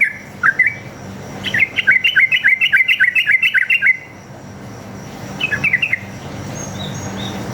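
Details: Wild sooty-headed bulbul in fighting mood, its long single-line 'ropel' song serving as a lure for others: a few opening whistles, a fast rattling run of bubbly notes, silence, then a brief burst.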